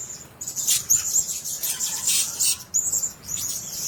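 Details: Blue-crowned hanging parrots kept in a cage produce shrill, high-pitched twittering in uneven bursts, with brief pauses between short clusters of sharp squeaks.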